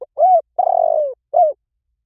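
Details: Spotted dove, played as a lure to train doves to call back, in the song style known locally as liu tan: three clear, low cooing notes, the middle one long and burred, the outer two short and arched.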